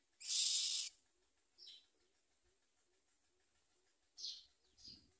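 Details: Common myna babies with the mother, eating little and biting at her; one long loud hissing rasp at the start, then quiet, followed by two short scratchy calls near the end.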